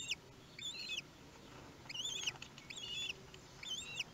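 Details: Common kestrel at a nest in Théding, France, on 18 May 2021, the day the first chick hatched; faint, thin arched whistled calls come in short bursts roughly every second over a steady background hiss.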